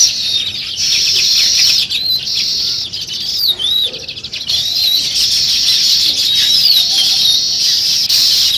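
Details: Sparrow chorus at morning time: continuous high-pitched chattering from a crowd of birds, sharp chirps and rising slurred notes layered over one another, fairly even in loudness throughout.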